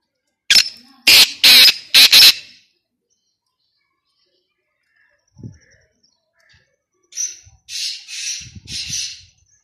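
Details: Black francolin calling in a hunting setting: a loud phrase of four harsh, rasping notes, a long pause with a faint thud, then a second grating series of three or four notes.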